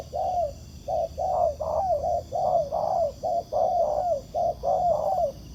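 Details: Wild spotted dove answering a ground decoy while being trapped in Vietnam, a good cooer. A steady run of about eleven mellow, low coos, each with a slightly falling slur, delivered in close succession without a break.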